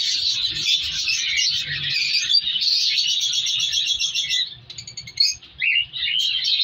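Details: African colour lovebirds in a breeding colony; loud massed chattering for about four seconds, then quieter moments broken by a few clear, separate shrill chirps and a rising squeak.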